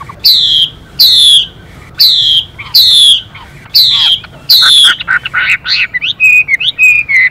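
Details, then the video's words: Male Chinese hwamei singing alongside a female, repeating loud slurred descending whistles about once per second, then a faster run of broken, higher twittering phrases toward the end. "họa mi hót Đảo Giọng liên tục kèm thêm tiếng chim mái xùy kích bổi nhanh"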